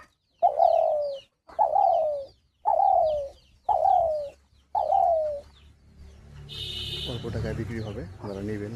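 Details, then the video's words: Spotted Dove in a hunting cage calls jhumur-style. Five hoarse, falling coos come about a second apart, then a man's voice and handling noise take over. "পাগলা শিকারি তিলা ঘুঘুর অস্থির ডাক"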